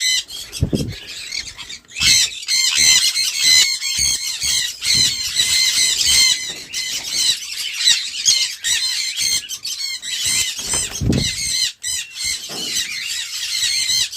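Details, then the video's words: Sun conure giving loud, harsh, piercing squawks in rapid overlapping bursts, almost continuous from the second second onward, with a few low thuds early and late. "05 Minutes Sun Conure Bird Sounds | Sun Conure Bird Sound Effects"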